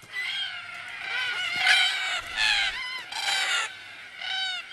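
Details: A flock of Australian cockatoos gathered at an evening watering hole gives loud, harsh, raucous screeches in overlapping bursts about once a second, a boisterous chorus with no other sounds standing out.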